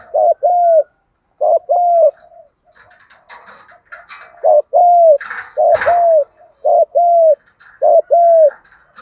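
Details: Spotted doves, male and female, cooing in challenge style to draw wild doves: doubled mellow coos, a gap filled with faint chirps and a thump, then a steady run of paired notes.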